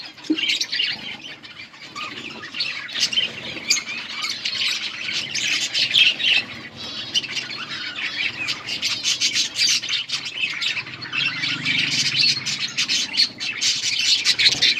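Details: Budgerigars at a breeding nest while feeding chicks: sustained busy chorus of rapid, scratchy squawks and chirps, several birds overlapping, with pulsing loudness over about fifteen seconds.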